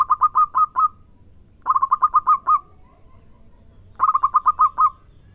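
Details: Local zebra dove singing three short phrases, each a rapid cluster of five or six staccato coos with a longer final note, repeated about every two seconds.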